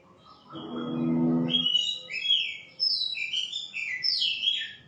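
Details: White-rumped shama whistling a string of bright, varied phrases after a brief low, droning hum at the start.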